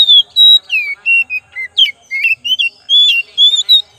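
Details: Oriental magpie-robin pancingan lure song: loud whistled phrase of about sixteen quick notes, pure slurs mixed with brief harsh chips, leaping between lower and higher pitches, close and clean with a quiet background.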